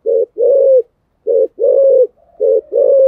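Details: Spotted dove giving a 'Thổ Sấm' style contest coo meant to spur another dove to sing: low, rolling coos in short and longer phrases, grouped in pairs with brief pauses, clean with no other sounds.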